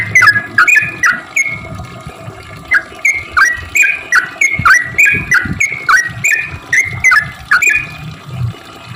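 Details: Sooty-headed bulbul singing its lively 'cuk cuk' lure song for bulbuls that rarely sing: a long run of bouncy clipped notes, about three per second, rising and falling, with low background rumble.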